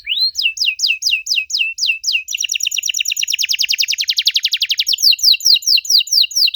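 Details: Canary song used as a lure to make young canaries answer: rapid series of bright descending whistled notes, then a fast dense buzzy trill, then more repeated sweeping notes, all high-pitched and loud.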